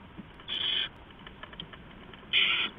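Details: Owl nest before dawn, 15 November 2015, as an adult flies in and out bringing rats to the owlets: two loud, rasping screeches, each under half a second, roughly two seconds apart, with soft rustling between.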